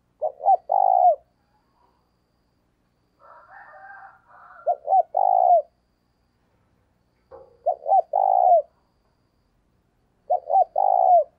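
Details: Spotted dove used as a decoy bird, its cooing played to stimulate another bird to coo; four clear phrases, each two short low coos followed by a longer drawn-out coo, repeated about every three seconds in near silence.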